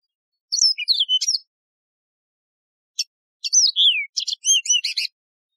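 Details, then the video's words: Song of the yellow-fronted canary (Mozambique serin), a wild canary: bursts of high whistled slurs and sharp clicks, a long silent gap, then a richer run of descending whistles, rapid chips and repeated bright notes; clean recording. "شريط تغريد البسبوس الموزمبيقي"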